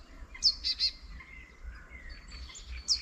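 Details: Wild birdsong in spring at the edge of a countryside village near a small wetland: a few sharp high chirps and thin whistles over a steady low rumble of background ambience.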